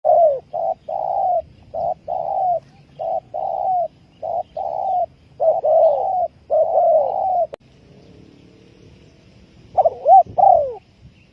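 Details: Spotted dove used as a trapping lure, giving a fast run of hoarse cooing notes near 600–800, grouped in short paired bursts repeated for about seven seconds, then a pause and a final quick cluster.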